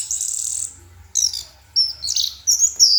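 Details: Night singing by a caged orange-headed thrush: a long high hissing note, then sharp buzzy phrases and bright whistled flourishes in quick bursts, with faint low hum throughout.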